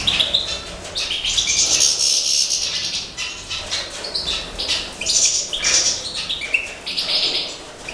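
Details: Dense, continuous twittering from captive breeding European goldfinches, major subspecies, in the 2012 season: liquid high notes, quick trills and clipped chirps pour out with brief pauses, with fluttering wing sounds now and then.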